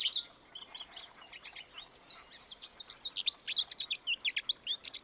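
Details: American goldfinch song: a long, rambling series of quick, high twittering notes and short sweet slurs, building into rapid bursts of bright chips later on.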